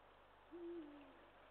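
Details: Eurasian eagle-owl recorded on 20 March 2023, giving a single low, steady hoot of about half a second that dips slightly as it fades, over a faint background hiss.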